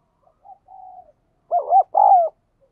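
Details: Decoy spotted dove calling insistently to pull wild doves toward its perch. Soft, low coos lead into one loud phrase: two quick hollow notes, then a longer, falling coo.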